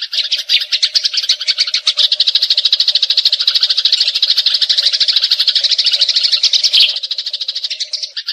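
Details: Eurasian tree sparrows fighting, a recording used as tutor sound for training magpie robins: a dense, rolling chatter of rapid high buzzy notes running continuously for about eight seconds, briefly breaking near the end before resuming.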